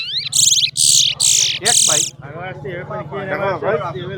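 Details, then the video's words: At a towa towa bird singing competition, a Chestnut-bellied Seed-Finch opens with four loud, harsh, buzzy bursts, then softer rapid warbled notes, over a steady low hum and people talking. "TOWA TOWA BIRD SINGING COMPETITION"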